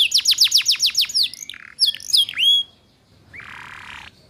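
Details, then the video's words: Canary lure song for teaching young birds ngeriwik: a fast series of sharp descending notes, a few swooping whistles, then quiet and a faint low buzz at the end. "Suara Pancingan KENARI Paud Cepat Belajar BUNYI Ngeriwik"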